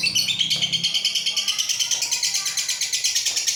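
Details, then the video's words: Ngekek from a lovebird, a long-duration song, recorded without editing. Rapid, harsh, high-pitched chatter pulses on without a break, evenly paced, with a brief lower tone at the very start. "Love bird ngekek durasi panjang"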